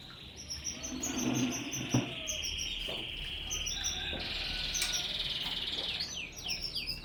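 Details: Canaries in a small aviary at midday, with high thin whistled trills and sliding chirps running near-continuously, some notes sweeping down in quick series toward the end; low background hum throughout.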